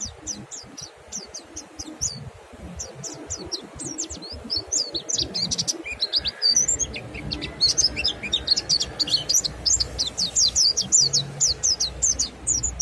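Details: Mountain white-eye singing ngalas to get other white-eyes singing too; bursts of short high notes, a pause, then denser overlapping chirps as more voices join, over faint low noise.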